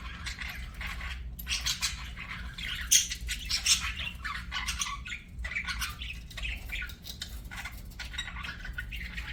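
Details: Pet budgerigars singing and chirping: continuous scratchy warbling made of rapid chattering notes and short squawks, rising and falling in loudness, over a faint low hum.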